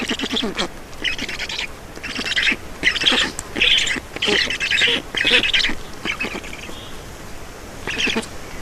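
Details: Estonian Black Storks being fed at the nest, 4 June 2019, 18:07; loud rasping squawks arrive in distinct bursts of about half a second, some eight over the span, the last after a quieter gap.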